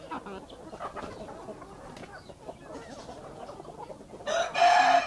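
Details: Backyard country chickens, a hen with chicks, in the morning: soft scattered low clucks over a busy murmur of chicken sounds, ending in a loud harsh noisy burst.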